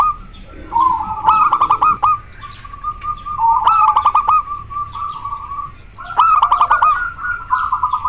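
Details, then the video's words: Local zebra dove in breeding condition singing frequently and very clearly: three rolling, mid-pitched cooing phrases about every three seconds, each led by loud staccato clicks into a bubbling trill, with softer steady cooing between. "Perkutut lokal gacor sangat jernih suara lokal alam manggung koar koar over birahi"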